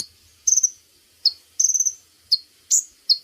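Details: Female brown-throated sunbird call played as a lure to draw in males for netting: high, sharp chips and short rapid stuttered trills, each burst separated by brief pauses, with no other sounds.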